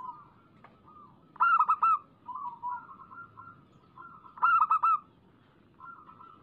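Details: Local zebra dove singing, played as a lure to make doves sing: two loud bursts of rapid trilled cooing notes, with softer drawn-out coos and quieter rolling phrases between them against faint background noise.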